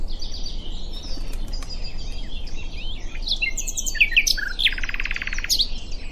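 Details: Common nightingale singing at Diddington: loud varied phrases of sharp whistles and chirps, then a rapid buzzy rattling trill, over a background of fainter chirping from other birds.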